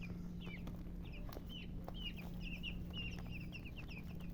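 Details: Dyed, coloured chickens chirping: a steady stream of high, short peeps, often in quick pairs or triplets, over a constant low electrical hum and light knocking noises.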